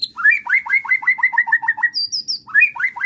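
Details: White-rumped shama bait song meant to make an emotional bird answer and reveal its repertoire: a quick, even series of about ten slurred, two-part notes, a few high thin whistles, then the series starting again.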